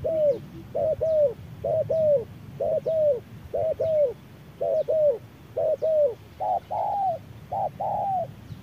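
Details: Spotted doves, decoy versus wild bird, dueling at midday in fierce sun: long regular string of double coos, the last few rougher and louder, with faint distant chirps above.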